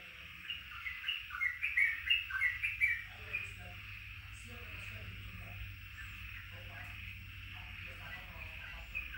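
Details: Yellow-vented bulbul starting into its rapid song: a bubbly run of chattering notes, loudest in the first three seconds, then softer scattered phrases over faint background noise.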